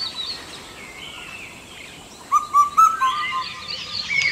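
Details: Indian cuckoo song, one clear phrase of four mellow whistled notes arriving after a quiet stretch. Other birds twitter and chirp at higher pitch throughout.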